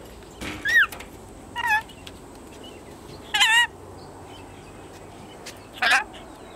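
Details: Ten-month-old male pet red-collared lorikeet that interacts with humans, giving four short, wavering tonal bursts with warbling harmonic slides, spaced irregularly about one to two seconds apart against a quiet indoor background.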